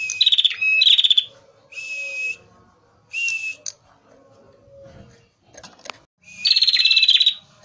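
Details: Male prenjak merah prinia, recorded as a lure. Bursts of rapid, high trilled notes alternate with flat, buzzy, steady tones, separated by short quiet gaps.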